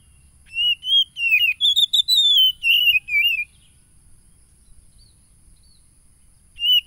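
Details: Oriental magpie-robin song recorded 30 July 2022 in Tulus Rejo, Lampung, Indonesia, as a provoking call for stressed caged birds: about three seconds of rapid warbled and fluted whistles with quick upslurs, a pause, then another whistled phrase begins.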